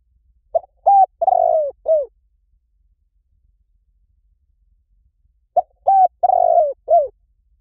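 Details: Two full spotted dove phrases about five seconds apart, recorded to lure doves. Each is a short lead-in note, a steady coo, a long throaty descending coo and a quick falling finish, with no background noise.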